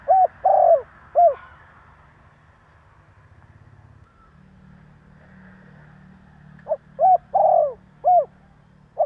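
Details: Spotted dove calling to provoke wild doves into answering: two cooing phrases, each of short low notes plus a longer purring coo, separated by several seconds of quiet with low rumbling hum.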